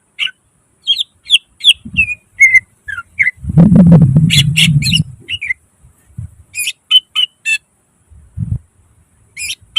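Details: Greater green leafbird gacor song packed with isian and nembak notes, meant as pancingan and masteran: rapid bright chirps and whistles, briefly overlaid by a low rumbling burst of noise near the middle.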